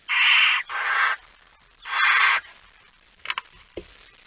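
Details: Night-time barn owls inside a nest box, September 2019; three rough hissing screeches in quick succession, then a few faint clicks and knocks.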